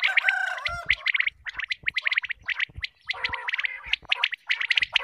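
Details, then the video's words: A group of quail gives its morning calls, used for hunting: a busy overlapping chorus of short, bright chirping notes, rapid and irregular. "quail group calling | batairoon ki awaz | بٹیر کی آواز شکار کیلیے | صبح کی بولی"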